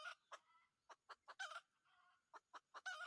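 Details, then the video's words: Red junglefowl cock, a wild bird taken with a decoy: a rapid series of short harsh clucks, several louder raspy bursts and a faint sustained tonal note in between, uneven spacing. "cuab tau lau qaib qus lawm nawb(ต่อไก่ป่าหม่านๆ)"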